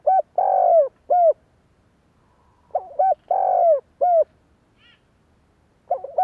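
A Spotted Dove gives low, hollow cooing phrases, a short note, a long drawn coo and a clipped ending note, repeated every few seconds.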